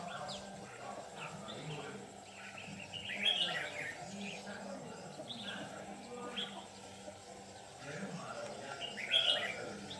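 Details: Red-whiskered bulbul decoy, a white-cheeked bird singing a 'Ché'-style fighting song during trapping. Short bright chirped phrases come in bursts, loudest near the third and ninth seconds, over a steady low hum with background chatter.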